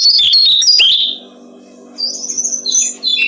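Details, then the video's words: A brown-streaked flycatcher sings a short burst of high twittering whistles for songbird training, then pauses before a thin drawn-out whistle and more quick chirps, over a soft low hum. "Masteran burung jongkongan coklat"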